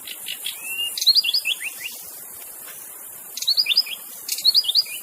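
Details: Free-living white-rumped shama song for coaxing other shamas to sing: a drawn-out rising whistle, then tight clusters of rapid descending slurred notes repeated in short bursts, with insects hissing throughout.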